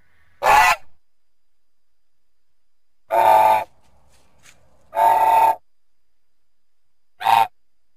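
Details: Goose giving four loud, rasping, nasal honks separated by pauses of about two seconds, each honk brief and harsh.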